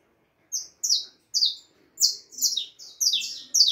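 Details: Juvenile harlequin saffron finch aged four and a half months sings clear, high, falling notes, single at first and then doubled and crowded together as the phrase speeds up.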